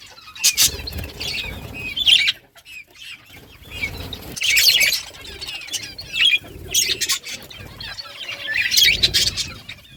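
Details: Budgerigars chirping while playing in summer breeding season, August 23, 2023: bursts of sharp high chirps and chatter every couple of seconds, interleaved with loud wing flapping.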